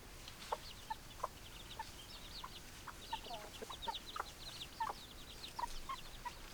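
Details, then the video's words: Clucking chickens: sharp brief notes repeated about twice a second from several hens, mixed with softer higher chirrups and a low steady background murmur. "Chicken Sounds Noises Hens Clucking Roosters Crowing"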